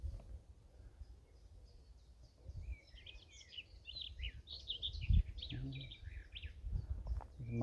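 A distant blackbird sings a mellow, warbling phrase that breaks into higher twittering notes, partly masked by low wind rumble and a man talking nearby.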